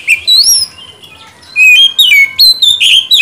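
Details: Oriental magpie-robin singing, played to coax a silent bird into song. A rising whistled slur opens, then a pause, then a quick run of sharp, bright whistles and sliding notes.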